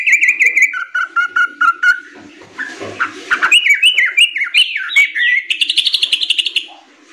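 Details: Sooty-headed bulbul song from young birds, used as tutor material for songbirds: sharp chirps repeated about five times, then rapid falling whistled notes stepping up in pitch, ending in a fast buzzy trill.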